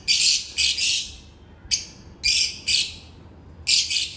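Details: African lovebirds during their daily routine: harsh, buzzy, high-pitched chirps in short bursts, about six separate outbursts across four seconds with brief quiet gaps between them.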